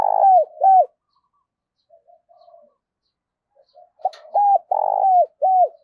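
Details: Spotted dove kept as a decoy to lure wild doves, giving loud, hooked, hollow coos in pairs at the start. After a quiet stretch of soft murmurs, a run of four strong coos closes the call.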